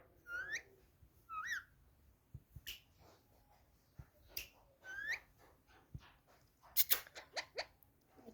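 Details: Pet parrot, said to be angry and talking, gives a few short harmonic squawks that sweep upward in pitch, separated by quiet gaps, then sharp clicks and a clattering burst near the end; quiet indoor recording.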